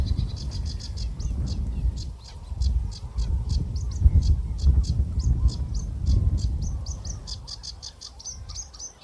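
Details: A reed warbler at Deeping Lakes Nature Reserve on a sunny but windy spring morning, with several others calling nearby, sings a loud, steady, chattering run of short, scratchy notes several times a second over heavy low wind rumble.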